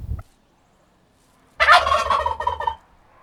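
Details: A turkey gobbles once: a loud, rapid, rolling gurgle lasting just over a second after a moment of quiet, preceded by a faint short note.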